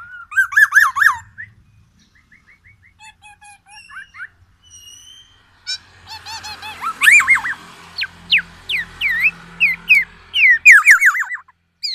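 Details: Singing black-naped oriole, Sumatran Aceh type, in a white-rumped shama imitation: rolling wavy whistles, scattered thin notes, then loud repeated downslurred and upslurred whistles with sharp chips, delivered energetically.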